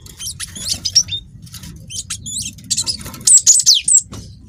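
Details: Cinereous tit of the Wingko type, young bird, recorded to draw other birds into song; scattered soft high chirps at first, then a louder phrase of rapid whistled notes with sliding pitch.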